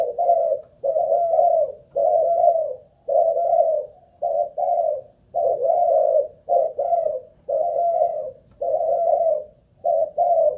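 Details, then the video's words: Spotted dove of Malaysian stock, a caged decoy bird, cooing at length in a stamina test; soft, low, rounded coo notes follow in close, fairly even groups over a quiet background. "Cu Gáy Mồi Đất || Test nước bền chim cũng thấy khá ổn"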